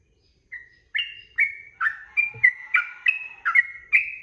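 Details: Sooty-headed bulbul song for tutoring caged birds, 'ropel' style: one faint whistle, then a rapid, bubbling succession of clear two-part whistled notes, about two to three each second, with a soft low knock in the middle.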